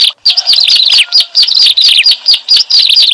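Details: Ciblek alang alang, the bar-winged prinia, sounding as a trapping lure: shrill chirps and downslurred twitters in a tight, busy sequence, with a few pulsed accents.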